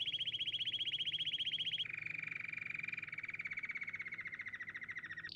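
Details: Canary song built from sustained rolling trills: a high, fast pulsed roll first, then a drop to a lower, steady trill of rapid repeated notes lasting over three seconds, closing with a brief higher note.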